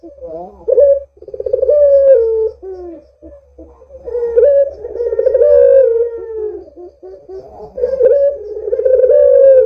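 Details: Barbary dove cooing used as a lure to make other doves call: low, rolling coos with a rising then falling, drawn-out note, repeated in several phrases, over a faint steady low hum.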